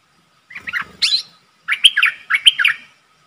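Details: Streak-eared bulbul used as a decoy bird, calling to draw in a wild flock: bright chirpy phrases of quick warbling notes, a short burst followed by two longer strings of rising and falling chirps, loud and clean.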